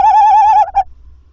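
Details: At a tawny owl nest, calling comes before the male hands over a mouse at 21:50. A loud quavering held note breaks off, then a short second note follows, with quiet after.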